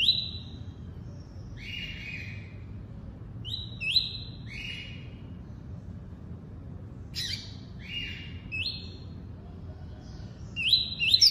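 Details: Tuí-tuí style song of a double-collared seedeater, delivered in separated bursts of paired high whistled notes, each dropping in steps, repeated every few seconds with quiet gaps and a soft low rumble beneath.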